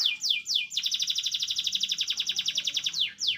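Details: Canary song used as a tutor for training oriental magpie-robins: a few high downward-sweeping notes, then a fast, even, ringing trill of about four notes per second, ending with more sweeping notes.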